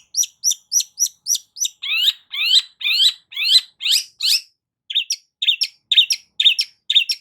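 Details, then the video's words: Varied long-tailed shrike song used as a lure for a silent bird: quick high chirps, then a run of rising buzzy slurred notes, then fast clipped chattering notes, all loud and unbroken. "CENDET MACET COBA PANCING DENGAR KICAU EFEKTIF SUPER LANTR BONGKR ISIAN INI DIJAMIN NYAUT"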